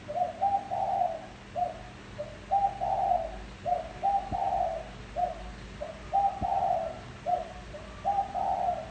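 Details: Spotted dove coos played to lure wild doves, repeated phrases of short lead-in notes ending in a fuller, wavering coo, about a dozen notes with steady hiss behind and a couple of faint clicks.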